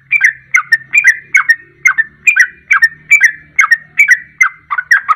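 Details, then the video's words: Sooty-headed bulbul singing a 'ropelan' song meant to provoke other birds to sing; quick repeated two-part bubbly whistled phrases, about two per second, over a faint low hum. "Ropelan Trucuk Ini Ampuh Untuk Pancingan Langsung Pada Ikut Ropel"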